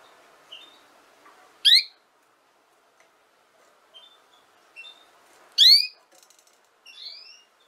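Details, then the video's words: Female canary producing two loud, abrupt upswept notes several seconds apart, with scattered soft chips and faint clicks in between. "chant femelle canari - canto fêmea canário"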